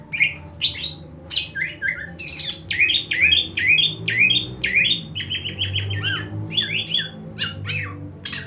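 Greater green leafbird pouring out a fast, varied run of bright chirps, slurred whistles and rasping notes, about two per second, over a low indoor hum.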